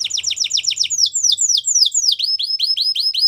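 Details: Belgian canary singing a fast series of downward-sweeping whistled notes, about four per second, slowing into longer swooping slurs, then a run of rapid bright rising chips.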